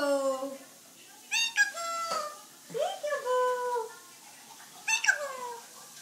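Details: A talking pet eclectus parrot says phrases like "I love you", calls names and imitates laughter, in short speech-like bursts with clear harmonic vowels and sliding pitch, a second or two apart, in a quiet room.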